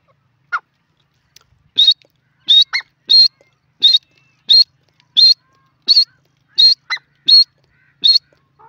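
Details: Grey francolin in a jungle repeating short, high, clear whistled notes roughly every two-thirds of a second, about a dozen in all, with a few fainter lower notes between.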